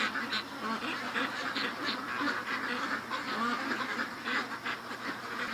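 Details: Domestic ducks in a pen, around 4 a.m. on September 8 in rain, quack in rapid, overlapping harsh bursts, several a second. They grow louder while gathered at the pen's end watching their owner in the kitchen, apparently expecting to be let out.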